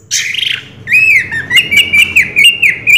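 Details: Short passage of orange-headed thrush song in the 'Raja Teler' style, a high squeal followed by a line of quick, clipped whistled notes repeated several times at an even pitch.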